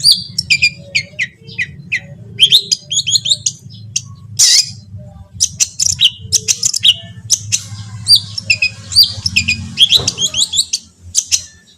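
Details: Long-tailed shrike masteran song used to prompt other shrikes to sing: a dense, varied stream of high chirps, rising and falling whistles and short trills, nearly continuous, over a steady low hum.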